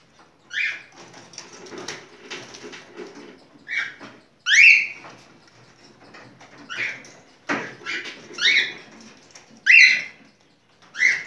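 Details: Cockatiel mating song of repeated rising whistles and harsh squawks spaced a few seconds apart, with low muffled chatter in between.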